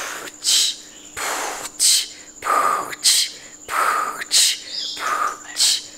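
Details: Pet galah beatboxing indoors during a lively night-time session before bedtime among several parrots: breathy, hissing bursts and clicks repeat roughly every second, some with a brief whistled tone, over a steady faint hum.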